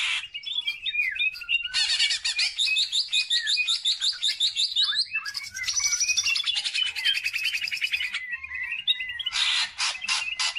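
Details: Greater green leafbird singing hard as a lure song for other birds: long buzzy trilled stretches broken by clear whistles and quick chirps, ending in a series of sharp, harsh bursts.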